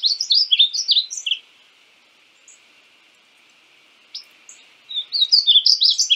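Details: {'text': 'Painted bunting (Passerina ciris) song: a rapid, sweet, high warbled phrase, a quiet pause with one or two isolated chips, then another fast jumbled warble starting near the end.'}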